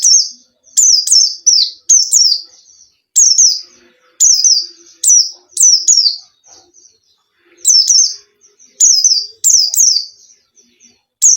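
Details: A white-eye (pleci, Zosterops) sings high, thin chirping phrases in quick bursts about half a second long, repeated with short pauses between them; played as a lure song to prompt reluctant pleci to sing. No other sounds.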